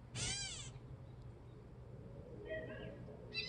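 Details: Gray catbird calling out at a feeder: a clear, cat-like, downslurred mewing note near the start, followed by fainter short notes and the start of another mew, over a low background hum.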